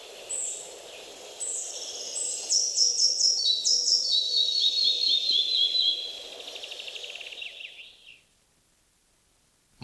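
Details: Red-breasted Flycatcher, forest bird of Wielkopolska National Park, Poland: thin high notes lead into a rhythmic descending series of repeated paired whistles, trailing off, with background birdsong.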